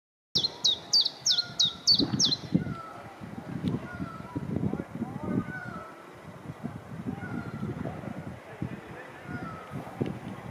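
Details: A common chiffchaff at Groene Voet, Alkmaar, opens with six quick, high chiff-chaff notes, about two per second, then stops. Softer whistles from other birds and low rumbling or voices follow.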